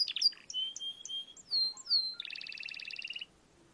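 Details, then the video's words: Canary song used as a tutor recording for young canaries two to three months old learning to sing: bright whistled and slurred notes, short descending sweeps, then a fast, even buzzy trill lasting about a second before stopping. "PANCINGAN KENARI PAUD BELAJAR BUNYI"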